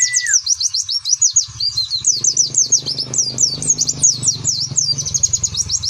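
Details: Oriental white-eye performing ngeriwik song, soft twittering with rapid 'nembak' bursts: dense, very high, rapidly repeated chirps and up-down trills running continuously, a brief steady mid-pitched whistle at the start, low hum beneath.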